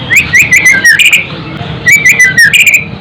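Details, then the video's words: Song of a white-rumped shama, meant to stir fighting spirit and emotion: bright, quick whistled notes wavering up and down, in two bursts split by a short pause, laced with crisp high clicking chips. "Special murai batu untuk naikkan fighter,dan Emosi"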